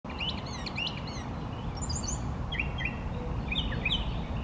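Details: Male brown thrasher singing from trees, delivering a string of short varied phrases, chirpy notes and quick downslurs with brief gaps between them, over a steady low background rumble.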